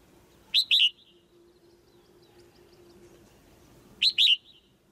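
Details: Female white-eye in a cage calling to push the male toward louder singing: two clipped high double chirps about three and a half seconds apart, with a soft steady hum underneath.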